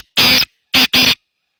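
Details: Loud, close black francolin: one long rasping note followed by two shorter harsh notes in rapid succession, then silence.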